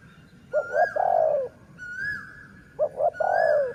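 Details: Decoy dove of the city line coos twice: two short clipped notes followed by a drawn-out, slightly falling low coo, with high thin whistles from other birds above.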